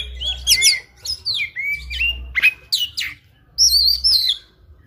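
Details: Oriental magpie-robin, fighting, sings a varied fill-in song: a rising-falling whistle, slurred downward notes, sharp upswept squeaks and a final wavering high trill, against a faint low hum.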